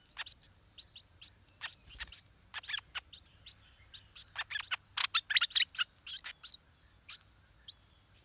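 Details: Stripe-throated bulbul chick at the nest while its parents feed it, giving a loud, excited burst of rapid, sharp, high chirps that crowd together and peak midway, then thin out to single notes.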